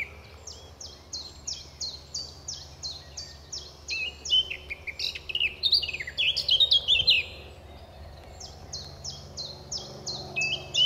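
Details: A male Eurasian blackcap singing in trees on his territory near the car park at RSPB Fowlmere in May 2014 gives a loud, rich warble of clear, fluty notes, set between fast runs of repeated high, thin descending notes.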